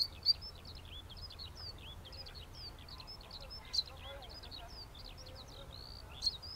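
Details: Zitting cisticola (Cisticola juncidis) song, recorded with a Sony A7R4A camera and 200-600 mm lens: thin, high, sharp notes repeated rapidly and evenly, over steady low background noise with a few louder clicks.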